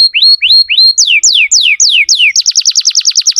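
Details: Canary song played to teach young canaries: three upward-sweeping whistles, then several loud descending slurred notes, breaking into a quick, evenly repeated trill.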